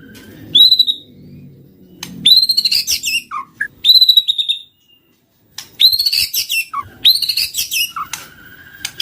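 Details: White-rumped shama song used as a lure: loud, rich bursts of whistles and harsh chattering notes separated by short pauses, with a faint low hum in the background.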